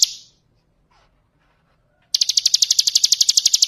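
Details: Bar-winged prinia ngebren song for training other birds: a brief high note, a pause, then a fast steady run of sharp, high repeated notes.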